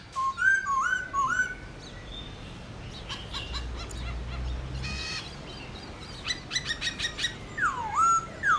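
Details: Black-throated laughingthrush in morning contest singing in forest-style voice: clear looping whistles at the start and again at the end, separated by a stretch of sharp clicking, broadband notes and background noise.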